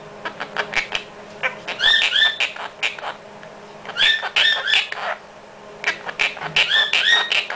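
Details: Pet Quaker parrot practicing chatty talk indoors: rapid dry clicks run into bursts of bright, harmonic two-note chirps, in three clusters roughly two seconds apart.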